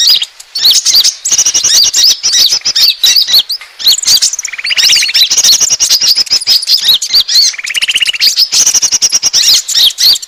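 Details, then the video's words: Asian glossy starling calling as a bird lure: long stretches of dense, squeaky high chatter and chips, with two buzzy rattling trills around the middle. "suara pikat burung konin ampuh"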